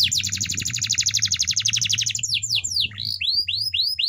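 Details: Canary singing a training song: a quick rolling trill of repeated notes, then spaced sweeping whistles, over a low steady hum.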